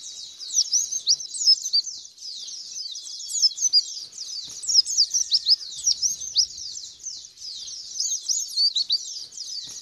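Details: White-eye song played as a lure to get a bird singing and opening its wings: ten seconds of thick, high, scratchy twittering, fast slurred chirps overlapping, with clusters of louder notes.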